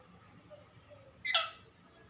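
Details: Pet parrot calling out for its mother figure at home: one brief harsh squawk lasting about a quarter second, rich and raspy across a broad range, over quiet room noise.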